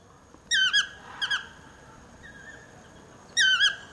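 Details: Toucan calling from trees just below a house, loud and talkative: strongly harmonic squeaky yelping notes given in quick doublets, one pair near the start and one near the end, with a softer note between and faint background rustle.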